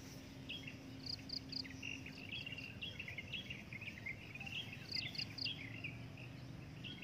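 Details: Breeding adult drongo giving short, sharp chirped notes in scattered bursts, some high and clipped, others lower and slurred, over a steady background of insect trilling and low rumble.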